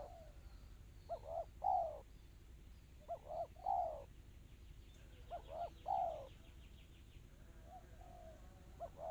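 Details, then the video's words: Spotted dove repeating its 'kristal rapat cepat' song, four cooing phrases about every two seconds, each two short hoarse notes then a falling coo. A brief burst of higher bird twittering and a steady low hum run behind. "Suara burung tekukur kristal rapat cepat"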